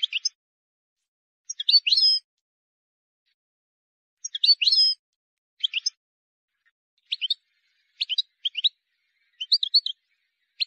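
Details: Wild European goldfinch, song used for teaching young birds: short separated bursts of high twittering notes, some with buzzy trills, spaced by pauses of a second or more, no other sounds.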